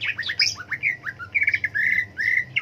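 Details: Cucak ijo leafbird song: a fast volley of sharp down-slurred chips, then longer warbled whistles, repeated in bursts throughout.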